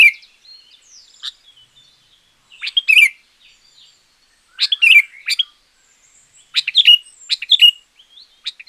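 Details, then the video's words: Champion-grade sooty-headed bulbul singing, meant as a lure for wild birds or a tutor for lazy singers; clusters of bright chirpy notes come in bursts, with soft twittering between them. "Suara Pancingan Burung Kutilang Gacor Juara.Cocok Untuk Masteran Burung Kutilang yang Malas Bunyi."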